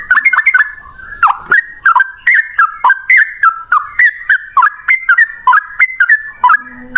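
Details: Rapid ropel song of a yellow-vented bulbul, delivered in one long breath: a steady stream of short, liquid, up-and-down slurred notes repeated several times a second, with no other clear sounds.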